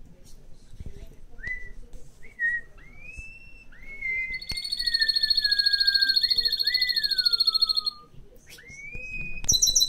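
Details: Pet mixed canary produces a fast, even high trill in mid-song, set among slow sliding whistled notes that rise and fall, with a brief buzzy burst at the close.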